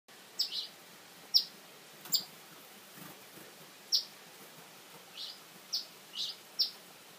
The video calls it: Eastern Phoebe parents not happy at me